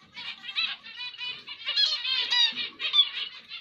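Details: Zebra finch singing: a rapid, continuous run of buzzy, nasal, harmonic-rich notes, pitched high and tightly packed, with brief louder bursts; no other sounds heard.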